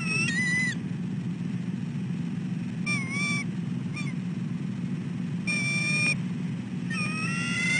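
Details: Female bald eagle calling near the nest on a December evening while her mate eats prey; scattered short whistled notes and brief chittering bursts, spaced irregularly, over a continuous low rumble.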